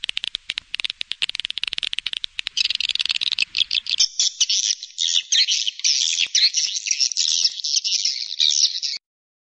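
Swiftlets give a fast run of dry clicks, then a dense, continuous high twittering chatter of overlapping chirps.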